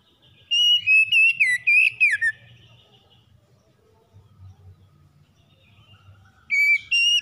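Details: Magpie-robin morning song, fast and vigorous, for settling a stressed bird: a loud burst of clear whistled notes that rise and fall, ending in a downward slur, followed by quiet low hum and two more bright whistles at the end.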